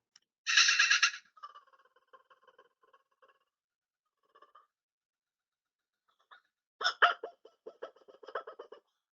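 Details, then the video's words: A Laughing Kookaburra, the largest kingfisher and an iconic call heard around Australia and used in movies, played back through a speaker in a small room: a harsh opening burst and hooting tones, then a rapid run of raucous, chuckling notes. "so i'm gonna crank my volume here and hopefully you guys can hear the kookaburra call"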